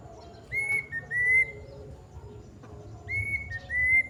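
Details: Plaintive cuckoo in its long call, two bursts of pure whistles: each burst is a rising note that flattens out, then a second level note just below it. A soft hum and faint background chirps continue between the bursts.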